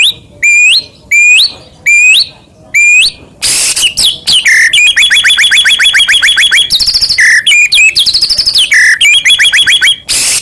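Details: White-rumped shama in energetic song to provoke other shamas: four separate upswept whistles, then a loud burst leading into a dense, fast trill of repeated notes with higher whistled phrases mixed in.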